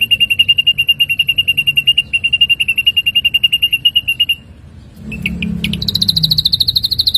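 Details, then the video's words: Ashy drongo song used as tutoring material for songbirds: a long run of quick, evenly repeated whistled notes, a short silence, then sharper chips leading into a higher, strained series of repeated notes; low steady hum underneath. "materi masteran burung srigunting abu - abu"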